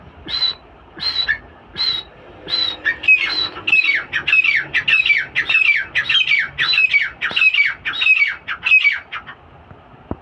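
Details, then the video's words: Female francolin from breeding stock calls in a loud, harsh series: a few spaced squawks, then a quicker run of about a dozen rasping, downslurred notes that cut off abruptly. "teetar ki awaz"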